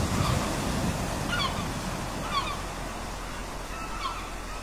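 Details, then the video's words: At a port, gulls give scattered short, rising-and-falling yelps in small bursts, spaced about a second apart, against constant surf and harbour noise. "SEAGULLS AT A PORT"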